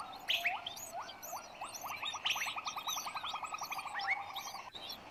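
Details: Long-tailed shrike from West Java, a parent feeding six chicks; quick series of short rising notes, accelerating into a rapid repeated chatter, with scattered sharp high chirps above.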